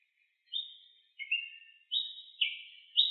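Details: Ruby-crowned tanager singing in nature: five clear chirped notes about half a second apart, alternating a higher flat note with a lower slurred one, against a silent background.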